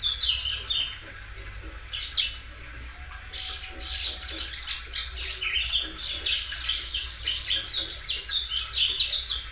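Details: Belgian canary, a well-kept singing bird that sings loudly and stretches its song several times; after a quiet start, dense high twittering phrases with rapid chirps and trills fill most of the clip.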